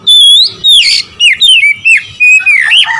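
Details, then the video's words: Oriental magpie-robin singing to provoke rival birds: a long steady whistle followed by a rapid chain of loud, bending whistled notes and chips. "memancing emosi Kacer lawan"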